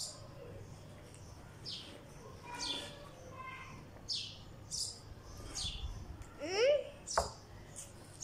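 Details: A sparrow sitting on a wall in Pakistan gives short, bright chirps, repeated irregularly about once a second, with a faint human voice and a low background hum.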